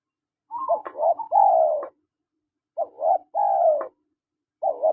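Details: Spotted dove calls, male and female birds calling; soft, hoarse cooing notes in short grouped phrases, each ending in a longer falling coo, with a pause of about a second between phrases.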